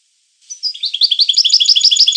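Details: Brief European goldfinch song starting with a thin whistle, then a fast, even series of bright, bouncing chirps repeated many times per second, high-pitched and tinkling.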